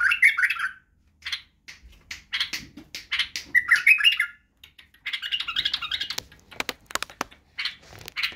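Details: White-eared bulbul song, played to train young bulbuls in singing and the birwaz style. Fast chattering and warbling phrases, broken by short pauses, with a dense burst and several sharp click-like notes near the end.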